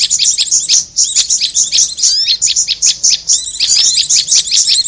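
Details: Bird lure recording of prinia together with korlap: dense, shrill chattering chirps with a few rising whistled slurs, running almost without a break.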